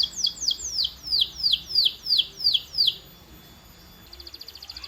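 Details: Canary training song meant to stimulate a canary to sing louder: a run of about eight steeply falling whistled notes repeated roughly three per second, followed by a short fast buzzy trill at the end.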